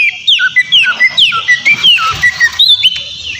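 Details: White-rumped shama (kacer) singing to provoke a rival male: a run of short, clean whistles, each swooping downward, given in steady succession with short gaps, over a faint low hum.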